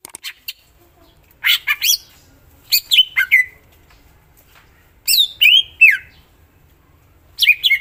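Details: Greater green leafbird singing a full, varied repertoire: bursts of sharp high chirps and short whistled notes, some sliding down and trailing off, delivered in separate phrases with quiet gaps between them.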